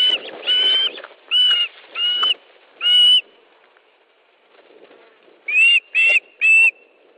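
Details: Osprey at an Estonian nest during a fish delivery, 13 July 2013, 17:58: several drawn-out whistles, a quiet pause, then three quick, sharp chirps, over faint background rumble.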